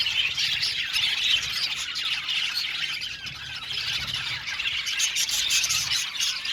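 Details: Budgerigar colony in an aviary chattering continuously, a dense wash of high chirps, squawks and warbles overlapping with no pauses.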